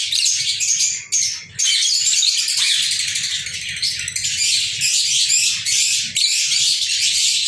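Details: Lovebirds, more than one, recorded on 14 February 2023. Loud, continuous high-pitched twittering and harsh chirps run almost without pause, broken by one short gap near the start.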